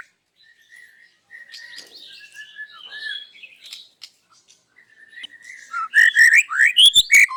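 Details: White-rumped shama's morning song while unloading its isian fill-ins: soft, varied twittering and whistles build into a loud final flurry of sharp rising and falling notes.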